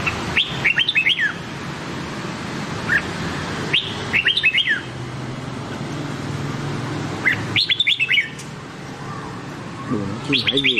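Red-whiskered bulbul gives short, bright, bubbling whistled phrases of a few quick notes, repeated every few seconds over a low background rumble.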